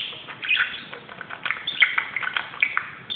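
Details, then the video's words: Pet budgerigar going crazy on a closet, chattering with a continuous run of scratchy chirps and brief whistled notes, faint and steady throughout. "grasparkiet doet zottekes op de kast"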